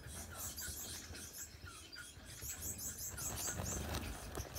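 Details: Four yellow Gouldian finch chicks in a nest beg in thin, very high chirps, several overlapping, about three a second, over a low background rumble.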